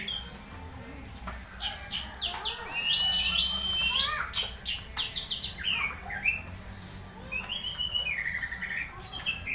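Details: Orange-headed thrush producing strange excited sounds, used to provoke other thrushes to sing during morning dew sessions; varied high chirps, quick upward-flicked whistles and clicks in irregular bursts, quieter toward the middle.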